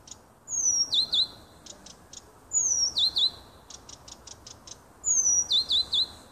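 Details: Nightingale song from a little woodland beside a house, 30 June 2015: a long rising whistle opens each phrase, followed by paired hooked notes and rapid dry clicks, phrases repeating about every two and a half seconds.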